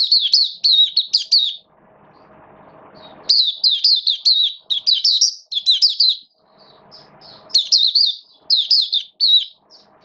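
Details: Caged oriental white-eye, kept as a song bird in wet rainy weather, singing fast bursts of high, twittering, warbled phrases separated by short pauses, with a faint low hum underneath during the gaps.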